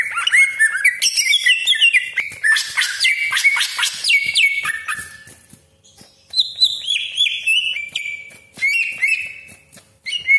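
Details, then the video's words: Greater green leafbird (cucak ijo) pouring out a full song as a lure for other birds; fast chattering and harsh rasping 'besetan' passages alternate with bright whistled slides and short pauses. "CUCAK IJO GACOR DOR TEMBAKAN TAJAM BESETAN KASAR ROLL PANJANG FULL ISIAN"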